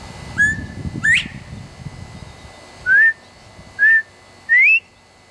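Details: Loud male Northern bobwhite in a Texas tree, trading whistles with a person: a flat note and a rising slur, then after a pause two short level whistles and a final upward-sweeping note. Low rumble early on.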